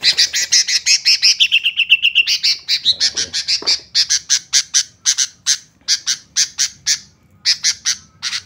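White-rumped shama giving a fast run of high, bright chipping notes, about four per second, that slow into separate sharp chips repeated steadily.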